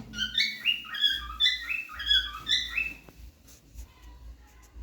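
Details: A cockatiel, singing while dancing, whistles a quick run of clear, rising and falling notes, then goes quiet.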